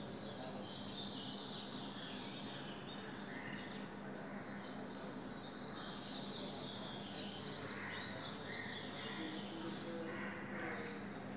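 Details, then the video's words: Oriental magpie-robin singing at 5 a.m. on 24 April 2020: varied, sweet whistled phrases amid a busy dawn chorus of other chirping birds, over a steady low hum. "Oriental magpie robin singing"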